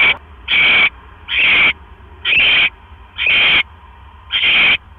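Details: Barn owl at its nest after the male brings another mouse, 1:09 AM, 12 October 2015; a run of six raspy, hissing screeches, each about a third of a second, roughly one per second.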